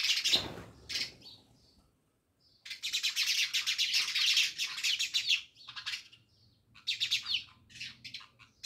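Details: Many house sparrows by a village house in Jamnagar, a dense chorus of overlapping chirps swelling into a continuous chatter for several seconds, then breaking into scattered separate chirps.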